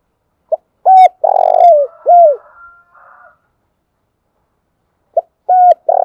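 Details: Lure-call cooing of a spotted dove for trapping: a clipped note and mellow arched coos around a long harsh, rolling coo, the phrase beginning again after a pause of about two seconds.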